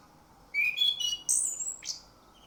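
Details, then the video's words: Orange-headed thrush singing in a lure recording meant to prompt other birds to sing: a rising whistle into warbled mid-high notes, a long piercing high whistle, then a short sharp downward note. "Pancingan Anis Kembang Buka paruh dan ngemplong"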